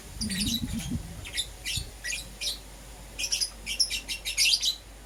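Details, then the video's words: Lovebirds of green opaline and lutino types chirping in the morning: thin, rapid high chirps in a run, with a brief low rumbling noise near the start. "Lovebird Chirping Sounds - Euwing Green Opaline & Lutino"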